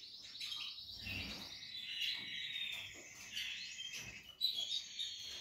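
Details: Portuguese Harlequin canary chicks calling in a near-continuous stream of high, thin chirps and twitters, with short rising and falling notes overlapping throughout and a brief louder cheep near the end.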